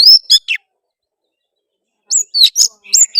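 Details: Oriental magpie-robin in gacor singing used as a lure to provoke a rival into song, fighting and tail-spreading; a few sharp whistled slurs, a long silence, then buzzy rasping notes and bright whistles.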